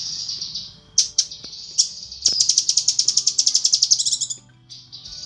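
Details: Female cucak kinoi, calling to attract a male, in a tutor recording for birds: a steady high trill broken by sharp notes, then a fast series of repeated high chirps.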